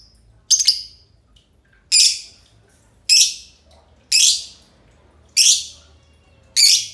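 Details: Green lovebirds, a duo, giving harsh, raspy, high squawks, each short and noisy, spaced roughly one per second, with quiet gaps between them.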